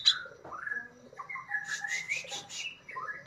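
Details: White-throated bulbul (tagged as a male cucak jenggot, called Brown-cheeked Bulbul, Alophoixus bres) gives clear rising whistles, then a fast run of sharp, harsh rasping notes, ending on another upward whistle; recording meant as song-tutoring material.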